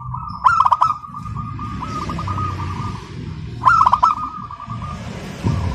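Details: Crystal-voiced local zebra dove singing continuously: two loud bursts of bright stacked notes, each flowing into a long steady trill of quick pulses, over a constant low rumble.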